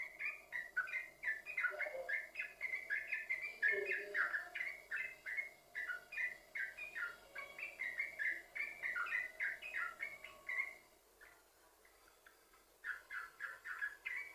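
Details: Yellow-vented bulbul song used to lure other bulbuls: a long, fast, jumbled run of bubbly notes with lower-pitched notes underneath, a quiet gap, then the chatter resumes.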